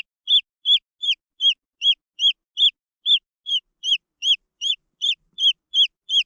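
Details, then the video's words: Chicks of the green junglefowl peep repeatedly, high, sharp notes rising and falling, spaced a little unevenly at roughly two to three per second. "The Sound of jungle fowl chicks"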